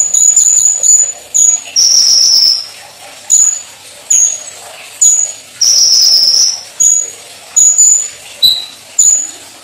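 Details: Sunbird training song: a series of very high, thin piercing whistles and sizzling drawn-out notes in bursts about every second, with occasional brief chips.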